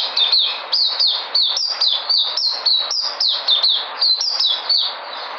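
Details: Energetic white-eye song from 13 February 2020: quick, piercing notes falling sharply in pitch, repeated in rapid succession with short gaps.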